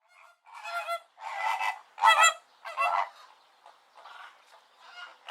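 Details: Flamingos, greater and American, calling: a few loud goose-like honks with stacked harmonics, each about half a second long, then softer, fainter honks trailing off.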